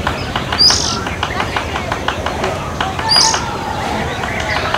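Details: Fulvous-breasted woodpeckers pecking: a run of dry, evenly spaced taps, about four per second, over a steady background hum, with two sharp, high chirps from another bird cutting in.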